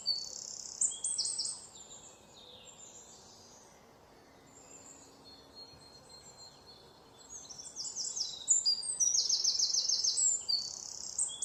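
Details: Two baby parrots begging while being fed by an adult parrot: bursts of high, thin, rapid squeaky chirps, loud at the start, a quieter pause in the middle, then an intense run of chirping near the end.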